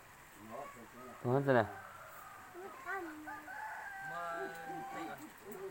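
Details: Red junglefowl crowing: one loud, harsh burst with stacked tones near the middle, then fainter drawn-out calls and short notes, all over steady background noise.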